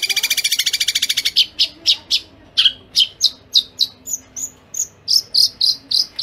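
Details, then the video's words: Long-tailed shrike song in a fast, tightly packed 'speed rapat' master recording for training songbirds: a rattling burst of about seventeen harsh notes, then quick high chips and sharp whistles, some sparrow-like. "Cendet Kuntilanak Sambung Gereja Tarung Speed Rapat"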